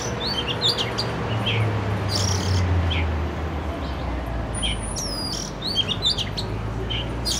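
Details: City-dwelling Oriental magpie-robin, recorded with a Canon R6, gives sparse chirps early, then clear descending whistled sweeps toward the end, with persistent low-frequency city noise.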